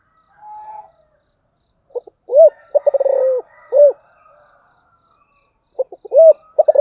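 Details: Giọng thổ style calling of a spotted dove: a faint lead note, then clipped notes, an arched coo, a rapid rolling trill-like coo and a closing arched coo. The phrase starts again after a pause of about three seconds.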